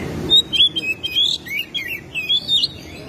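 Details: Oriental magpie-robin (kacer), a tutor bird in full song with tail opened, pouring out its learned repertoire: short, varied whistled phrases, clear slurs and quick chirps in rapid succession, set against a quiet background.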